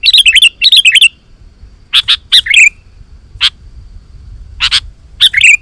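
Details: Sooty-headed bulbul singing vigorously to lure wild bulbuls: an opening run of quick bubbly warbled notes, then scattered sharp chirps and short slurred phrases spaced by gaps.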